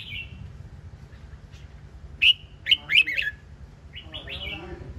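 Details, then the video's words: Red-whiskered bulbul song with a burst of three or four loud sharp chirps in the middle, preceded and followed by softer warbled whistled notes, against a low constant hum. "นกกรงหัวจุก (Red-whiskered bulbul)"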